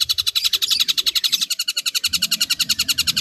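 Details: Long-tailed shrike mimicry roll. Quick, evenly repeated harsh high notes come almost four per second, with a faint low hum underneath.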